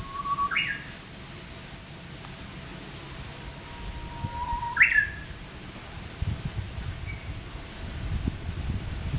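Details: Two full Japanese bush warbler songs and the start of a third. Each is a sustained plain whistle that snaps into a brief, high, tumbling ending, with a constant shrill insect chorus behind.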